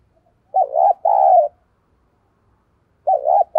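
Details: Decoy spotted dove giving rapid cooing and calling coos meant to lure wild doves: two low, throaty coo phrases, a wavering double note and then a longer sustained coo, with a third phrase starting at the end, in otherwise quiet surroundings.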